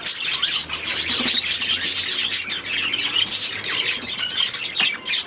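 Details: Continuous warbling chatter from several aviary budgerigars, mixing thin whistled squeaks, scratchy trills and quick chirps, with a faint low hum beneath.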